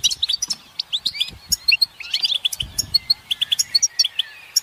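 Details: Chorus of European goldfinch twittering meant to rouse males into song: clipped, tinkling chirps and quick rising and falling slurred notes come in rapid bursts, several birds overlapping, with a soft low rumble near the middle.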